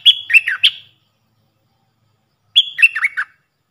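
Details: Decoy Puff-throated bulbul calling, a recording used to train young hand-reared birds: two short phrases, each opening with a level whistled note and running into three or four quick, falling, slurred chirps. Quiet background.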